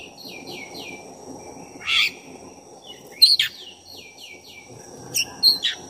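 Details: Black-breasted oriental magpie-robin singing to provoke rival magpie-robins: quieter runs of short, descending whistled notes, broken by a few louder, scratchy chattering bursts, with a steady low hum behind.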